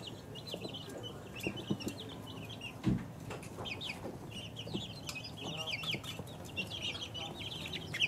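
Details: Two-week-old chicks giving high wavering peeps from several birds at once, mixed with soft low clucking murmurs, scuffling and a sharp knock near three seconds.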